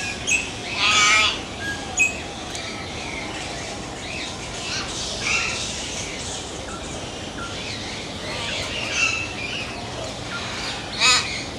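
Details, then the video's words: Common hill myna, a mountain bird found in India, giving short, harsh, rasping bursts near the start and end, with softer scattered chirps between them over constant background hiss. "Amazing Hill Myna Birds Beautiful Sounds"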